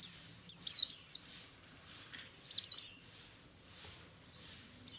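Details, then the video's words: Ngalas song of a buxtomi-type white-eye in the morning, meant to lure other white-eyes into singing: clean, very high descending whistled notes in quick clusters separated by short pauses, on a quiet background. "BURUNG PLECI NGALAS DI PAGI HARI"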